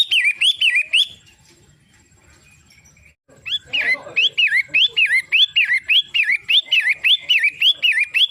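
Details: Long-tailed shrike, known as pentet matahari, gives repeated upswept whistles with buzzy overtones. The song breaks off into a few quiet seconds, then resumes as a long even series of rising-falling phrases.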